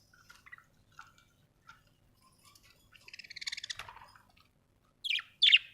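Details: Budgie chirping: scattered faint chirps at first, then a rapid, ticking, buzzy chatter building up, and finally two loud, harsh squawky chirps.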